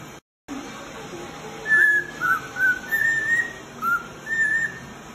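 A male cockatiel whistles a series of short, clear phrases near one pitch, some rising or wavering, about six notes over three seconds against faint background hiss.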